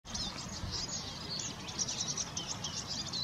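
A Eurasian siskin sings a fast, unbroken stream of high twittering notes mixed with thin wheezy trills, over a low background rumble.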